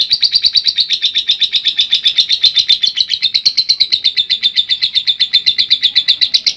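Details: Trained-style long ngekek song of a lovebird: fast, evenly repeated high chattering notes, around four per second, forming one unbroken metallic trill with slight wavering in pitch throughout.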